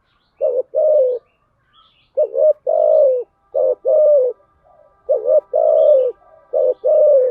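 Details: Spotted dove lure coos used to draw in doves. Paired coo phrases repeat steadily, each a short and a longer mellow, slightly falling note, with a faint high chirp in the background.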